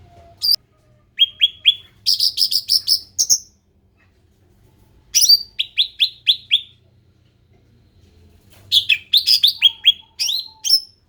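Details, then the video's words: Ruby-throated bulbul, described as endemic, singing in three bouts separated by pauses: runs of rapid upswept whistles, a dense buzzy trill, and sharp slurred notes. A faint low hum sits underneath. "SUARA ASLI CUCAK RANTING"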